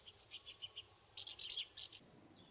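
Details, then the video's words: Several soft, high chirps from common house martins circling their nest site in a UK summer, followed by a louder, denser rattling burst of calls, then a brief trailing chirp. "House Martin Calls and Nest Site"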